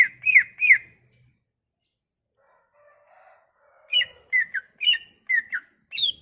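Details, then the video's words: Song of a leafbird (cucak ijo), used to coax silent leafbirds into singing: two sharp downslurred whistles, a long near-silent gap with faint low murmurs, then a quick series of bright whistled notes. "Kicauan ini MAMPU memikat cucak ijo MACET bunyi"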